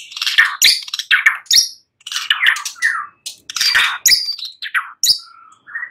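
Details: Lure recording of a white-rumped shama singing at night: dense harsh chattering bursts mixed with downslurred whistles, ending with a short steady whistle and an upturned note.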